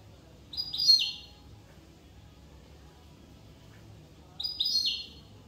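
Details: Corsican goldfinch producing two short, sweet twittered phrases about four seconds apart, with silence and a soft low hum between them.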